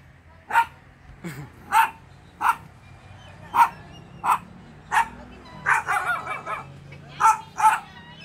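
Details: Guineafowl calling repeatedly in short, harsh, rasping notes spaced roughly one second apart, with a brief cluster of rougher chattering notes midway and a faint low human voice early on.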